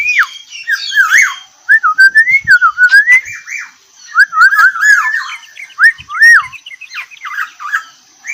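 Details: Kepodang, the black-naped oriole, delivering a characteristic whistled song in close 'ropel rapat' phrasing: a continuous stream of liquid, swooping whistles, short rising and falling loops, broken by brief pauses and faint squeaky notes overhead.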